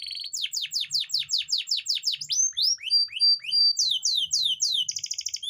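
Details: Canary song played to arouse breeding urge in female canaries that mate poorly; long run of rapid descending sweeps, rising slurred whistles, a steady pure tone, more quick sweeps and a closing buzzy trill.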